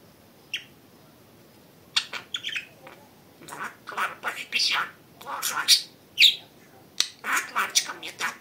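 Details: Pet budgerigar talking: short, raspy, high-pitched speech-like phrases in irregular bursts, with a few sharp chirps and brief pauses between utterances.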